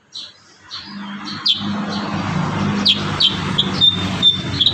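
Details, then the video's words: Kurincang song used to train other birds: sharp, high chirps repeated at irregular intervals over a steady low hum and rumbling background like traffic. "Masteran terbaru burung kurincang gacor isian"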